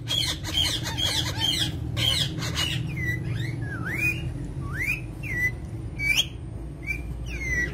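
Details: Pet parrot: a burst of broad, harsh noise for the first two and a half seconds, then a run of short, sharp rising and falling whistled squawks spaced about a second apart, with a steady low hum underneath.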